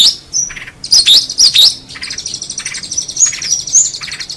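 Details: Long-tailed shrike in vigorous 'gacor' song: thin high whistles and quick chirps, then a dense, buzzy warbling passage with sharp upslurred notes near the end.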